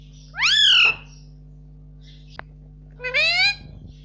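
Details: Indian ringneck parakeet kept as a pet, saying "mummy" over and over: two bright, strongly harmonic calls that arch up and sweep down, separated by a second and a half of quiet and a single click, with an electrical hum behind.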